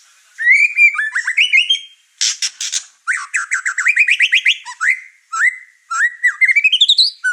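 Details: White-rumped shama in an agitated, over-emotional mood, singing in a house with other caged birds: varied whistled phrases, a harsh rasping burst, then rapid rising trills of repeated notes climbing in pitch.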